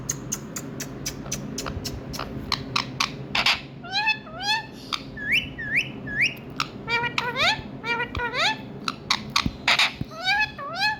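Indian ringneck parrot giving a run of quick, clear, upward-sweeping whistles in short bursts, after some sharp clicks and taps; low household hum underneath.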